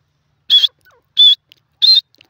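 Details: Grey francolin calling, three loud, shrill, clipped notes spaced about two-thirds of a second apart, with a quiet background.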